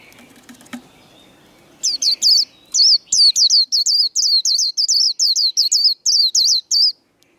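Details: Singing-contest white-eye giving its 'líu' song to provoke rivals: after low background murmur, a steady chain of sharp, high, warbling whistles, close to three per second, ending suddenly.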